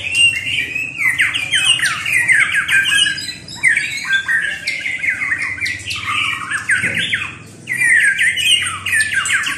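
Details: White-rumped shama heard in a long, busy stream of quick warbling notes, chattering slurs and short whistles, barely pausing, one brief lull near the end.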